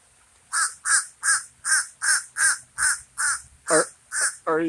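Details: Common raven calling loudly: about ten hoarse caws in a regular run, the final notes turning into deeper, wavering, gurgling croaks.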